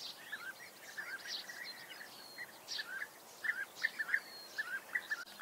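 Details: European bee-eater under observation, giving short rolling, burry calls in small clusters, several notes in quick succession toward the end, over a soft, steady background hiss.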